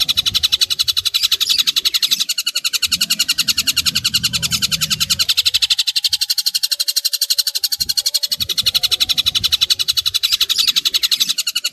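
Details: Long-tailed shrike training recording of rough full song. A fast, even stream of rasping pulses continues throughout, about four per second, with faint low rumbling noise in the background.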